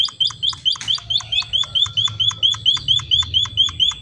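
A munia gives a long, steady run of short, high, sharp chirps, several per second, with a faint low hum in the background.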